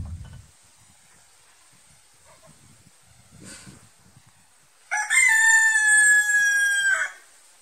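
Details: A native-breed rooster lets out one loud, ringing crow of about two seconds, rising sharply then held steady before breaking off, with only faint rustling before it.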